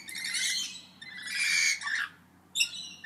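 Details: Parrots calling back and forth, harsh broadband squawks in two long bursts followed by a shorter sharp call, over a faint steady background hum.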